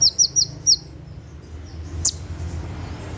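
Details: Sunbird singing at night in the rapid 'tembakan' style, used for training caged birds: four quick, sharp, high chirps in under a second, then silence broken by a single click over a low steady hum.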